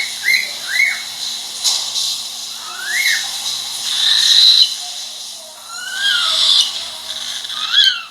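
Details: Pet cockatiel giving clear whistled calls, each a quick rising-then-falling note, spaced about a second or two apart over a steady hissing background, with a brief higher chirpy note in the middle.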